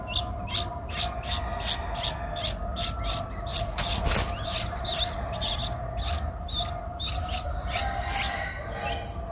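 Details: Nestling Streak-eared Bulbul aged 11 days, Ubon Ratchathani, Thailand, 13 April 2023, giving irregular high squeaky chirps, some with upturned tails, a loud click near the middle and a steady low tone throughout.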